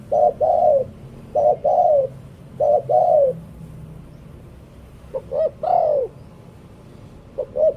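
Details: Decoy spotted dove singing a series of mellow cooing phrases. Each has one or two short notes followed by a drawn-out, downward-sliding coo. Phrases come at irregular gaps, with one louder, fuller coo near the end.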